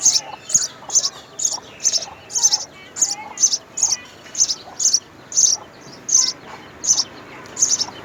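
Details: Three young house sparrows begging at the nest while mother and father bring food: piercing high chirps repeated steadily, roughly two per second, throughout, with faint lower twitters beneath.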